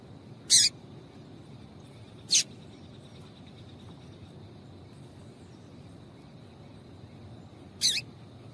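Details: Female double-collared seedeater (coleiro tui tui) calling to stimulate the male: three isolated, sharp, high chips spaced one to five seconds apart, with a faint steady high hum and quiet hiss between them.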